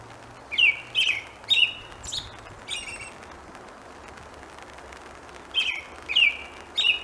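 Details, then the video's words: An American robin sings in the rain: a run of four clear, warbled whistled phrases, a pause of several seconds, then three more, over a steady hiss of rain. "American Robin Bird Call / Sounds / Singing in the Rain"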